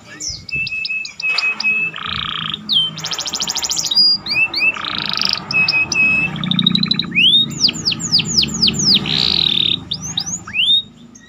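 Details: Canary singing a varied song that includes imitations of other birds, used for training other birds: mixed buzzy bursts, flat whistled tones, rapid trills and a run of rising sweeps.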